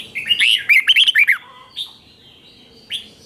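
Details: Red-whiskered bulbul teacher song for training caged birds. One rapid phrase of about eight sweet, warbled whistles, followed by two isolated soft chirps.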